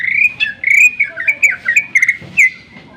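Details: Greater green leafbird in sharp lure song to get other birds singing: a continuous warbled phrase of rich whistles weaving up and down, ending in a downslurred note.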